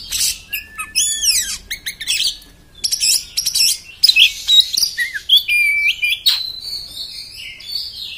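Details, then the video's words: Harsh 'beset' song of an Oriental magpie-robin: fast rattling chatter, steep falling sweeps and squeaky high notes, then warbled whistles and a long wavering high phrase, continuous and loud. "kacer beset beset kasar bikin emosih"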